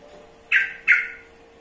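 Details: Yellow-vented bulbul uttering two quick, grating chack notes in close succession, both rough and fading, with a low electrical hum in the background.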